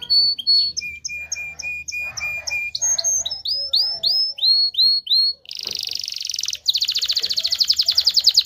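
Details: Canary song to encourage mating: repeated high whistled notes, a series of curved chirps, then a buzzy block and a very fast rising trill.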